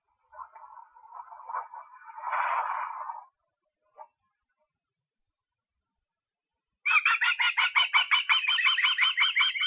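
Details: Osprey in Estonia, 23 August: a lower, rough rustling sound comes first, then silence, followed by a loud rapid series of clear whistled notes, several per second, continuing to the end.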